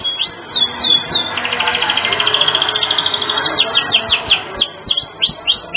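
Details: Canary singing vigorously with unique phrasing, used to tutor songbirds: a few separate sharp chips open into a dense, rapid rolling trill, then spaced downslurred whistles return toward the end.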